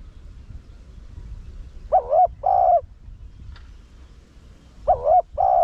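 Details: Spotted dove of the 'Rặc Đồng' voice cooing as a lure for wild doves. Two two-part phrases, a wobbling note then a held low coo, separated by a quiet stretch.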